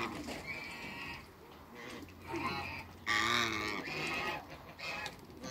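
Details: Two male and one female African geese in a backyard with other waterbirds give harsh, nasal honks in uneven bursts, the loudest and richest around the middle, over steady background noise.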